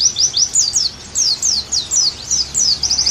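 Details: Oriental white-eye song for pleci therapy: a series of sharp, high, descending chirps spaced about a third of a second apart, ending in a quick run of rapid notes.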